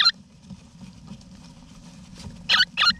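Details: Eastern rosella parents and chicks together in a backyard nesting box in Australia, November 2018, wild birds: a brief squeaky call opens, then two quick raspy chirps near the end over a quiet low background hum.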